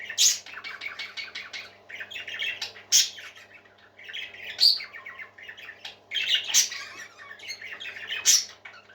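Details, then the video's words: A flock of parakeets sings with rhythmic bouts of buzzy, stuttering chirps, broken up by loud shrill squeaks every couple of seconds. A faint electrical hum sits in the background. "Happy Parakeets Singing"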